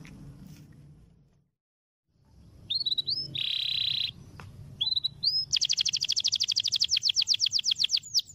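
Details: Domestic canary long roll song used as a training recording for other songbirds: after a pause come upswept whistles, a steady buzzing note, then a fast, even roll of repeated high notes lasting nearly three seconds.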